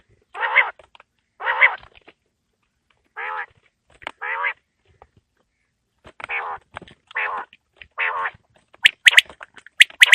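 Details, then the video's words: Quail calling on a cold winter evening: irregular bursts of short, buzzy, nasal notes, pausing briefly, followed by a cluster of sharp clicks near the end. "Quail Calling Sound For Winter | Baiter Ki Awaaz Sardiyon Ki Sham K Leya | بٹیر کی آواز سردیوں کیلئے"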